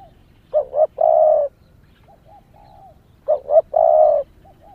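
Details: Calling female spotted dove used to excite males. She gives twin short coos and a long steady coo, repeated about 2.7 seconds later. Fainter distant coos sound in between.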